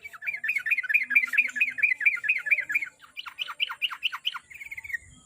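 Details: Sooty-headed bulbul song used as a lure to make a kept bird sing more often: a rapid run of repeated chirping notes, about two per second, then a brief pause and a burst of sharper, louder notes.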